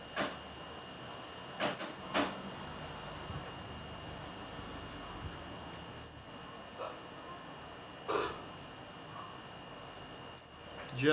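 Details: Blue-black grassquit singing on a very hot day at 11:46 on 7 May, having sung since early morning. Three short, very high, buzzy notes sliding downward, spaced about four seconds apart, with faint background hiss and knocks.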